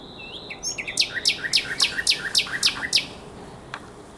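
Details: Common nightingale song recorded at night on the Żerański Canal, 23/24 April 2022: short twittering notes leading into about nine loud, crisp, evenly repeated down-slurred notes, with a faint click afterward.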